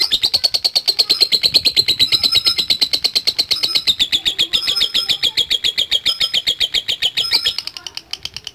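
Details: Lovebird in long 'ngekek' trilling: an unbroken stream of rapid, high, rattling pulses, slowly falling slightly in pitch, with a few sharper accent notes, fading out at the end.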